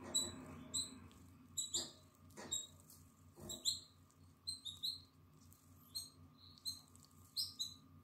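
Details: Atlantic canary nestling aged nine days, eyes newly open and feathers emerging, 14 April 2022: quieter, piercing high chirps in small bursts every second or so, with a few soft taps and rustles and a faint background hum.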